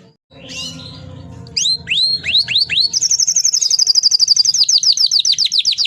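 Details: Canary singing a long rolling song meant as a master for training other canaries; after faint low hum, loud downward-sweeping whistles lead into a fast, even trill of high notes.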